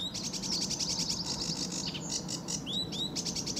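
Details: Sedge warbler singing energetically in early morning sun, Fowlmere, England, July 2013: a dense scratchy high trill for two seconds, then clipped rising swept notes, with steady low background noise.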